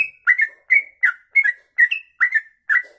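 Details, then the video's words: Sooty-headed bulbul in 'kongslet ropelan' song for bird tutoring: seven clear, slurred, fluty phrases, each dipping then levelling, spaced about every half second. "Trucuk Kongslet Ropelan Panjang"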